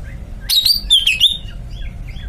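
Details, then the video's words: Caged greater green leafbird delivering a short run of sharp, swooping whistles that dip and rise in quick succession, then fade to faint distant chirps above a steady low hum. "Cucak ijo melet"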